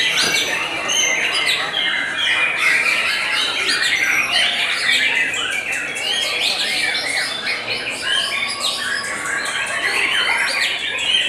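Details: White-rumped shama singing at a bird-song competition: a loud, dense, nonstop stream of varied whistles, rasping chatters and quick trills, overlapping with other birds and some talk in the background.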